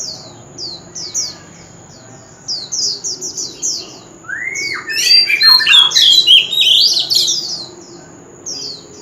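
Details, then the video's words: Male White-rumped shama in fighting song with a forest-type voice: regular soft descending high chips, then a swooping whistle opening a loud, rich passage of tumbling whistles and twittering, before the chips return. "Chòe Than Trống Hót Liên Hồi – Âm Thanh Chuẩn Giọng Rừng - Chích Chòe Than Hót Đấu"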